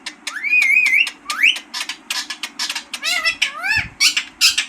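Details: Green parrot, a talking bird, giving a run of clear whistled notes that waver and rise, mixed with short buzzy chatter and squawk-like bursts, steady low hum beneath.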